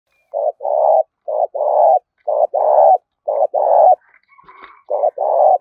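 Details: Spotted dove cooing, a call played to lure birds in across a field: five paired phrases, a short low note then a longer one, repeated about once a second, with a brief faint noise between.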